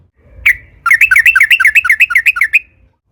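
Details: Sooty-headed bulbul song used to provoke other bulbuls into singing: one sharp note, then a rapid roll of about fifteen bright, wavering notes lasting under two seconds.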